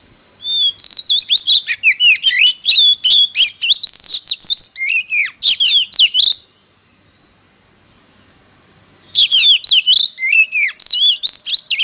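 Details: Oriental magpie-robin, a caged bird in competitive singing, delivers loud, rich whistled phrases of rapid varied notes, pauses about three seconds, then resumes another fast burst of slurred, rising and falling whistles.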